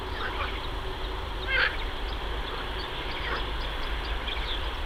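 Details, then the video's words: In May, mallard ducklings swimming on a river and looking for food give a few thin, high peeps, one louder and slurred among softer scattered ones, over a steady low rumble of water and distant traffic. "Mallard ducklings appeared on the river"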